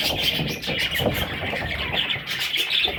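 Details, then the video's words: Short burst of parrot chicks: many small birds give quick, overlapping high chirps and squeaks, with some low rustling beneath. "Parrot little babies"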